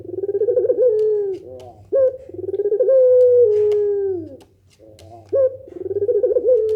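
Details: Barbary dove cooing in the pelung nangguk style, a call said to make other doves answer: rolling, wavering coos that stretch into long descending notes, repeated with short breaks, over a faint low hum.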